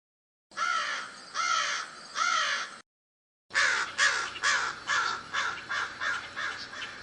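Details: Crow cawing: three harsh, downward-bending caws, a brief silence, then a faster run of about eight hoarse caws that fade gradually.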